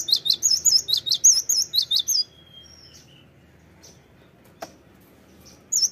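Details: Cinereous tit lure calling: around ten quick, piercing whistled notes repeated in a tight burst, a thin descending whistle, then near-silence broken by a sharp tap before the calls return.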